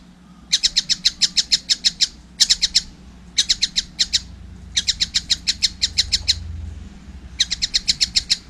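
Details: Juvenile collared kingfisher in vigorous voice, giving bursts of rapid, high, harsh notes, some runs of about eight, others of two to four, separated by brief pauses, over a faint low background hum.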